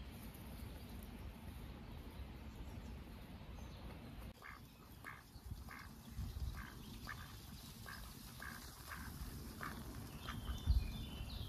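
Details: Curious ducks at a pond on a warm, sunny summer day with occasional breezes, exploring path edges and bushes; after a quiet start, a run of about nine short, harsh, nasal quacks comes roughly every second, over low breezy rumble.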